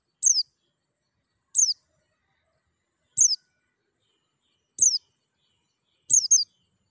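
A white-eye gives thin, high, falling chirps, a short note about every one and a half seconds, five times, the last doubled; nothing else is heard.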